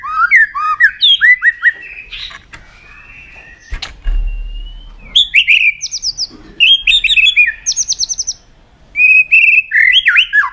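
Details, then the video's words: White-rumped shama in aggressive mood delivering rich song: quick looping whistles, a long steady whistle, then bursts of bright, ringing buzzy notes between slurred phrases, with one dull thump midway. "Keganasan murai batu diam jadi rajin bunyi kembali"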